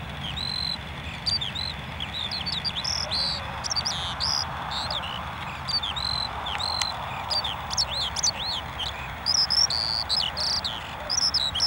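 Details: Lark singing a fast, varied stream of high whistled notes, sharp upward and downward slurs and short trills, against a steady background hiss and faint low rumble.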